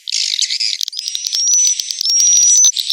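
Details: Swiftlets calling inside a successful swiftlet house, a roosting call used to attract the birds to stay: busy high twittering chatter, then thin rising whistles running over clicking chirps.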